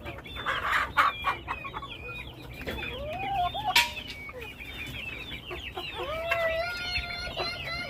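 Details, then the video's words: Flock of chickens mixing high, arched peeps with longer, lower sliding notes and scattered clucks, one sharp loud note near the middle, several birds overlapping. "Beautiful sounds of our flock !!"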